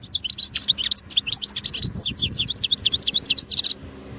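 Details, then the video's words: European goldfinch singing, a rapid twittering stream of short high notes and buzzy trills, continuous for about three and a half seconds, then stopping into quiet. "chardonneret élégant EU"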